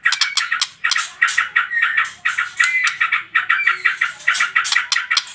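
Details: White-rumped shama singing, a recording meant to provoke other birds to sing: quick repeated chattering bursts mixed with short whistled slurs, each burst separated by brief dips.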